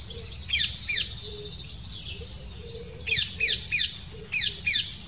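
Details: Black kite nest scene, with the female bringing small prey and feeding the chicks; brief bursts of shrill, falling squeals come in quick pairs and clusters, separated by quieter gaps, over low background hum.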